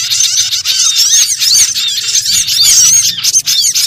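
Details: Lure recording of small birds for trapping, full of shrill overlapping chirps and short whistled upslurs that run continuously with no gaps.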